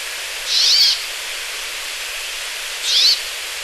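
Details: Brambling calling twice, each a short buzzy, wavering note about two and a half seconds apart, with a constant faint hiss between the calls.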